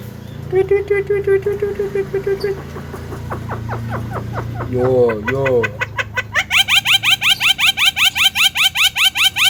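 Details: Javan myna said to talk well and be clever, giving a mixed run of mimicked sounds: a steady low hum, then scratchy rising notes, a warbled squeal, and a fast series of sharp clicking chirps near the end, with faint music behind.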